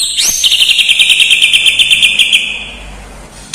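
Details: White-rumped shama with mimicked lovebird, kapas tembak, cililin and fighting sparrow songs: a quick upward sweep, then a loud rapid pulsed trill, about three pulses a second, fading out.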